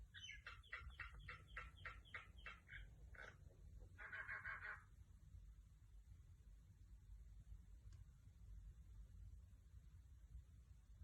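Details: A female pet myna gives a quick run of about nine nasal, clipped notes, then a harsh, grating squawk, over a steady low rumble of background noise.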